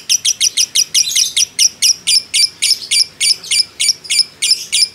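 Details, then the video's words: Excited fighter lovebird in sustained 'ngekek' chattering, used to get other lovebirds calling: loud, high, slightly squeaky notes at a lively, even pace of roughly three to four per second. "pancingan lovebird JITU emosi ngekek panjang ngetik nyaut"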